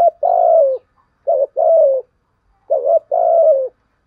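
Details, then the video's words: Lure spotted dove cooing to attract wild birds: a steady series of soft hooting phrases, each a brief note followed by a longer, gently falling coo, three couplets in quick succession. "chim cu mồi thúc gù bài bản nhất hiện nay, chim cu gáy kích bổi hiệu quả nhất hiện nay"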